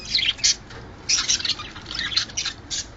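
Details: Budgerigars calling to encourage breeding condition: short harsh squawks and buzzy chirps in quick bursts, about one every second, separated by brief quiet gaps.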